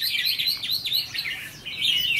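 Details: Trainee decoy red-whiskered bulbul of the 'mí lửa' type, tested for its fighting attitude; bright chirpy phrases of quick rising and falling notes, steady and unbroken, with a brief lull before a sharper burst at the end.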